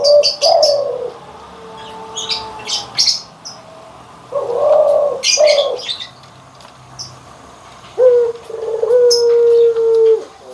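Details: Barbary dove cooing, white and brown birds compared: short low rolling coos early on, then a long level drawn-out note near the end. Frequent sharp high chirps from other birds sound throughout.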